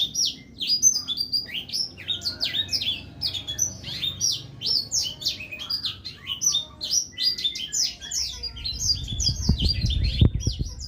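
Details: Black-throated canary (Crithagra atrogularis) sings a fast, unbroken run of high, sweet twitters and trills, with low thumps and rumbles near the end.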